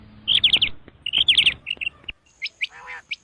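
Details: Common quail uttering fast, high whistled chirps in clusters of three or four, then a few separate sharp notes and one nasal, wavering call. A faint hum sits underneath.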